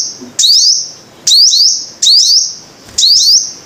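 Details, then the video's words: Sunbird known locally as the five-colour sunbird, giving piercing high phrases, each opening with a sharp note and sliding upward, repeated about every second against a hissing background. "Tiếng chim hút mật 5 màu"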